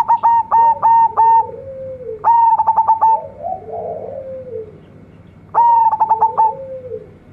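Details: Local zebra dove singing actively with a big, luxurious voice: three loud stuttering coo phrases of four or five rapid beats ending in a lingering note. Each is followed by lower, softer murmured coos.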